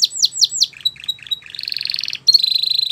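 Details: Belgian canary singing as a tutor for young canaries: a quick run of falling whistled notes, then dry clicking phrases, a buzzy trill and a fast high rattling roll.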